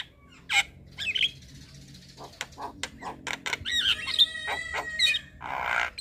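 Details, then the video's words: Black-winged starling singing in the evening for training young birds: scattered sharp notes and clicks, then layered steady whistled tones and a harsh burst at the end, over background hum. "Masteran Jalak Kebo Sore Hari Bikin Burung Jalak Muda Cepat Gacor"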